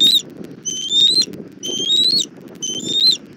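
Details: Southwest Florida nest cam, 1 April 2024, 17:30: as the mother bald eagle brings food for the chick, high thin whistles rise at their ends, four notes in about three seconds, over faint rustle.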